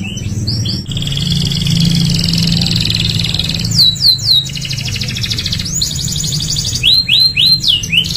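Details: Canary singing as a tutor for other canaries: scattered whistled notes and a long steady buzzing tone, later short bursts of paired swooping notes and trills, against a noticeable low rumble.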